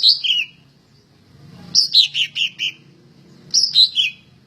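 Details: Greater green leafbird, described as a very prolific singer ready for contest hanging, delivering short groups of clear descending whistles, each phrase of four to six notes separated by about a second of quiet.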